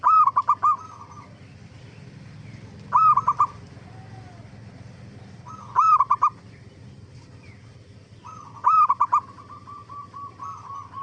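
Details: Zebra dove song used as a lure to draw answers from other zebra doves: four bursts of rapid, rolling staccato coos repeated roughly every three seconds, faint cooing in the gaps over a constant low hum.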